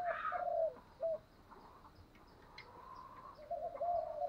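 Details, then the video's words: Spotted dove giving a morning lure call used to attract other doves: low, mellow coos, one swelling and falling phrase followed by short notes, with faint chirps from other birds over a steady hiss. "tieng chim cu gáy kích bổi buổi sáng đủ bài"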